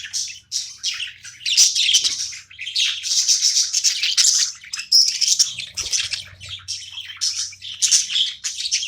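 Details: A pet budgie chatters nonstop during playtime, a dense stream of rapid, scratchy chirps and high twittering notes with brief gaps.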